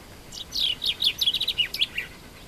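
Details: Common chaffinch singing in Morocco: a quick run of bright, high notes that tumble downward in pitch and speed up into a rattle, ending with a short flourish, over faint background hiss.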